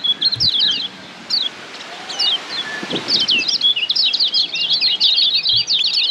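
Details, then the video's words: Padangan-style tutor song of the Lombok kecial kuning white-eye for training caged birds: a few isolated high chirps and slurred notes, then building into a long unbroken run of rapid, varied twittering; occasional low knocks. "Masteran Kecial Kuning PADANGAN"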